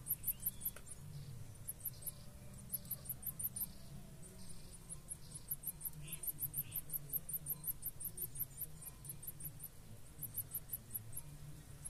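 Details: Chicks of a Blue-black grassquit pair begging while parents feed them: clusters of very high, needle-thin squeaks in short runs separated by gaps, with faint mid-pitched knocks and low constant rumble.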